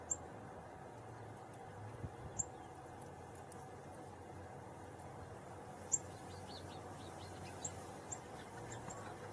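Sharp, high, metallic chips from a northern cardinal, about six at irregular intervals, over a steady background hiss and low rumble.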